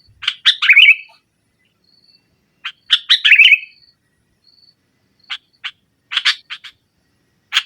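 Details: Sooty-headed bulbul (kutilang) singing boldly against a rival: bubbly chattering phrases with rolling warbled endings, followed by scattered short clipped notes, faint high thin whistles between bursts, otherwise quiet.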